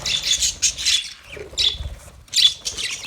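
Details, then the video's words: Male budgerigars chirping in scratchy, buzzy high bursts, a few dense clusters with short quiet gaps between them. "Male Budgies chirping sounds"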